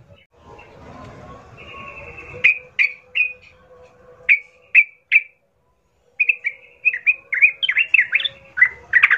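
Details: Sooty-headed bulbul song used as a lure to provoke fighting: short bright whistled phrases in bursts, then a faster run of chirpy, warbling notes, with a low rumble at the start.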